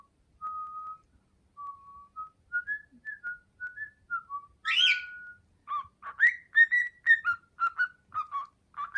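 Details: Learning the melody "Hato Poppo", a young male pet cockatiel whistles a string of clean tonal notes that climb step by step, then breaks into a brief harsher squawk before resuming quicker whistled phrases.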